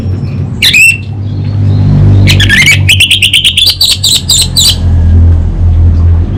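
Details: Orange-headed thrush (anis bata) in full 'kabel konslet' song: a brief whistled phrase, then a fast burst of sharp repeated chattering notes. A low rumble like passing traffic runs underneath.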